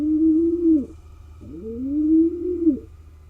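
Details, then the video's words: Wild male pigeon courting a female inside a barn owl nest box in Israel; low, drawn-out coos that rise, hold steady, then drop sharply, two long phrases with a steady low hum beneath. "Pigeon male courts a female"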